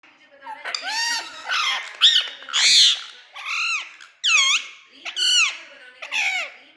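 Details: Pet parrot giving a series of loud, harsh, nasal squawks with arched, rising-then-falling tones, roughly one per second, indoors.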